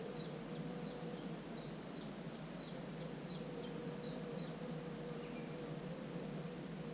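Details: Common cuckoo chick in a marsh warbler nest, recorded 24 June. It gives a run of high, thin notes, each dropping at the end, about three per second for four seconds, then stops. A steady low hum sits underneath.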